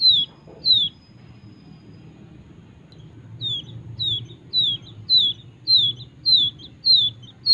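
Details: Wild quail chick raised by hand in Kediri, giving sharp high downward-sliding peeps: two early, a pause, then a regular run of about nine more, with steady low hum beneath.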